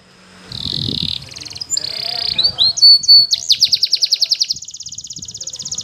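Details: Belgian canary training song for young canaries learning to sing: after a brief low rumble, a steady high whistle gives way to buzzy bursts, then fast pulsed trills and a long, even, rapid rattle-like roll.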